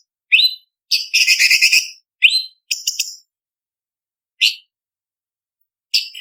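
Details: Leafbird (cucak cungkok) song for contest training, sharp fill variety: upslurred whistles, a long buzzy chattering rattle early on, then clipped chip bursts and isolated whistled notes with silent gaps.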